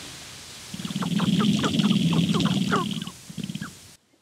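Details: Sharp-tailed grouse at a morning lek, where a female visits while males display intensely to court her; recorded with a Rode mike. A dense, rapid patter of clicks and rattles rides over a low, continuous cooing drone for about three seconds, then fades.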